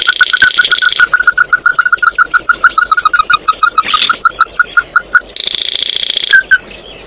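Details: Oriental white-eye singing to call the flock, a long, steady series of rapid, ringing, clipped notes with a brief buzzy burst near the end.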